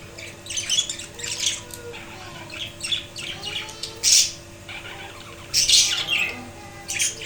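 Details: Caged budgies keep up a noisy chatter of rasping squawks and short chirps in uneven clusters, roughly every second, with a few louder harsh calls. They are housed in a wooden cage with a chick inside the nesting box, following the male's death.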